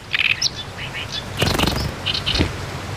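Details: Oriental reed warbler (Acrocephalus orientalis) singing in early summer among reed beds and rice fields of reclaimed farmland at Ogata, northern Japan, where it arrives mid-May to breed: loud, jerky run of harsh grating churrs and sharp chirps.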